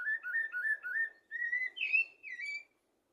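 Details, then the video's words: Common blackbird song used as a tutor for goldfinches and canaries: loud, mellow fluted warbling in looping phrases, rising into a higher twisting whistle before fading to silence. "تغريد طائر الشحرور لتعليم طيور الحسون والكناري"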